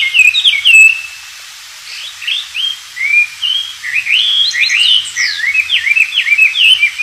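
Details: Wild Oriental magpie-robin in full, energetic song, kept as a training recording for white-rumped shamas. Clear whistled phrases, then a short silence, then a busier stretch of rapid upward and downward slurred notes.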